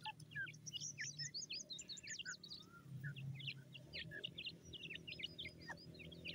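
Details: Feeding francolin chicks in forest give dense clusters of quick, high, thin peeps, some slurred, overlapping continuously over a steady low background hum.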